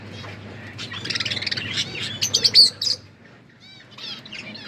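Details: Pet budgerigars chirping as they eat: a quick run of bright, warbling chirps that swells to a loud peak near the middle, then quiet, with a few soft chirps at the end.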